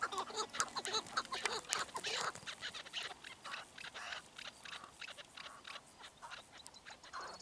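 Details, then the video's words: Chukar partridge giving harsh, clucking calls in quick irregular bursts, nearly two a second, some strained and rising; a faint low hum runs underneath at the start. "Partridge Keklik Kew الحجل 鹧鸪 Rebhuhn куропатка Perdiz Chukar"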